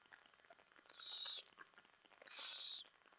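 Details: Owl begging as a mouse is delivered during a feeding, recorded July 25 around 2 AM; two harsh, hissy screeches, the second longer and broader, over a noisy background hum.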